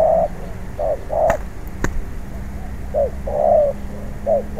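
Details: Spotted dove, caught wild and being trained as a decoy, gives clear mellow coos in pairs of short and longer notes, with two sharp clicks and a low hum in the background.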